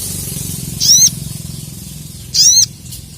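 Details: Crested jay, locally called sogon or sogok ontong, calling out rivals in an agitated state: two loud, high, sharply arched whistled notes about one and a half seconds apart over a steady low rumble.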